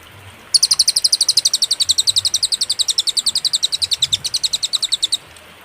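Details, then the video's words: Cililin master song for tutoring caged songbirds, clear and with pauses: after half a second of quiet, a rapid string of sharp, high chips runs evenly for nearly five seconds. "masteran suara, burung cililin suara jernih & berjeda"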